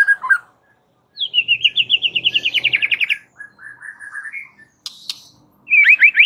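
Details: White-rumped shama singing to trigger rivals: a rapid run of repeated rising notes about four per second, a softer warbled phrase, a sharp click, then a fast rising trill burst.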